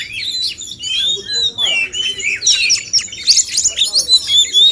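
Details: Contest between male oriental magpie-robins to encourage more singing: long clear whistled notes and slurs opening into busier chattering, twittering phrases that grow louder toward the end.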